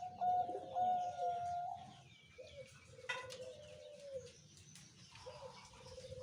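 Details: Zebra dove giving a slow cooing song in the anggungan pelan style: drawn-out level coos, then shorter rolling notes. Other bird chirps and faint background noise are heard.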